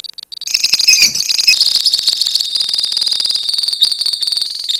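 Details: A lovebird colony in full ngekek: after a moment of quiet, a steady stream of rapid, piercing, rattled trills pours out and continues almost without a break.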